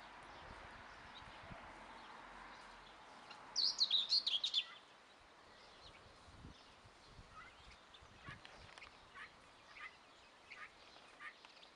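Young guineafowl give a quick burst of high, thin peeps lasting about a second, followed by scattered fainter chirps against a steady background hiss.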